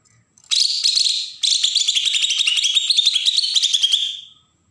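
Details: Bornean green leafbird from Berau, Kalimantan, giving a harsh besetan song used to provoke newly caught birds: two loud buzzy, rasping phrases of rapid pulses, the second longer and ending in a fading trill, with no other sounds.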